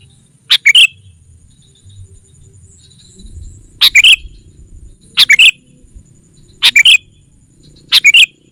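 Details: Lure recording of a sooty-headed bulbul meant to draw wild rival birds together: five short bubbly phrases of two or three sharp chirps, spaced irregularly about one to two seconds apart.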